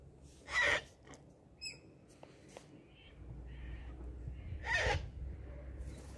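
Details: A wild sulphur-crested cockatoo feeding on a caravan-park lawn in the Blue Mountains, NSW, Australia, early morning, gives two harsh rasping screeches about four seconds apart, with faint chirps and low background rumble.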